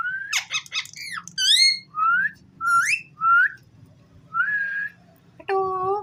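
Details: Ringneck parrot at home producing a series of short whistled slurs, mostly rising, about one every second, with a buzzy chattering burst at the start and a lower tonal note at the end.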